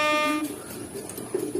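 Racing pigeon giving short, low, throaty coos near the end, after a brief harmonic voice-like sound at the start; indoor room ambience.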